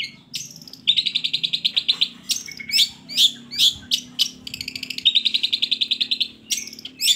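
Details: Long-tailed shrike song used as a lure to prompt lazy shrikes to sing: loud high notes alternating with rapid buzzy trill phrases, several sharp upward-sweeping chips between trills.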